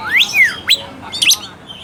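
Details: Brief burst of Oriental magpie-robin song, a lure to spark a quiet, unaggressive bird: a clear rising whistle, a falling slur, then a sharp upward note and a quick chattered chirp.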